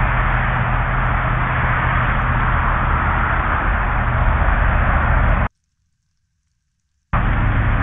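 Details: Steady broadband rushing noise, like wind on a microphone at an eagle nest camera, with a short dead silent gap near the end and no animal calls.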